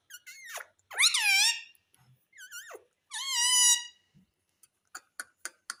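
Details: Pet parrot talking and mimicking words indoors, giving two drawn-out, wavering, squeaky word-like phrases, then a run of short clicking notes.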